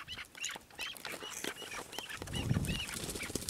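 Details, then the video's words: Chukar partridge uttering repeated short upturned chuck notes at a steady pace, with a low thump and rumbling noise midway. "Partridge Keklik Kew الحجل 鹧鸪 Rebhuhn куропатка Perdiz Chukar"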